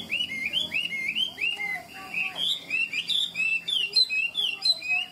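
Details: Caged Chinese hwamei, tame and bred for fighting, pours out ngũ trường song: fast, varied whistled notes, about four per second, shifting between low and high phrases with no pauses.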